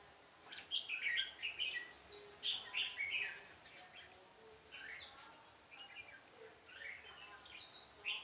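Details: Red-whiskered bulbul recorded during a bird-trapping session on 13 March 2017, with a decoy used for singing duels. Short bright whistled phrases come in quick bursts against a steady thin high hum and soft background noise.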